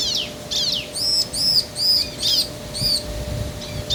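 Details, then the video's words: Male and female bar-winged prinias in duet, played to excite other birds: sharp downward chirps open, then five ringing arched high notes evenly spaced about half a second apart, over a faint steady hum. "Suara Ciblek Jantan dan Betina Saling Bersahutan - Bikin Ciblek Lain Emosi & Gacor"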